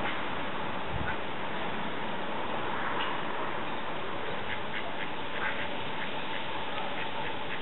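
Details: About a dozen mallard ducklings on a village duck pond, giving short, thin, high peeps scattered through the second half over a steady background hiss.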